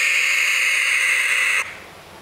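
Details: Young barn owls giving a loud, continuous breathy hiss that cuts off abruptly near the end, leaving quiet background.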